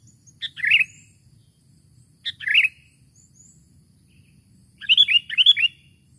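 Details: Sooty-headed bulbul calling to a rival, used to attract birds: two separate short, liquid chirped phrases, each opening with a sharp click, followed by a longer, quicker cluster of chirps near the end.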